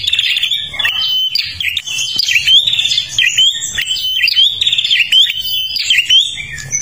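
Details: Prinia from Kalimantan singing a lively, continuous song used as a lure for other birds: rapid, high chirping notes in busy repeated phrases, with short clear whistled tones recurring through the clip and faint low background rumble.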